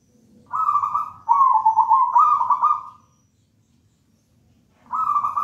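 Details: Zebra dove, wild local bird from a raja banana nest, performing manggung song meant as a lure for young doves: a connected run of three rolling coos, a pause, then another coo begins.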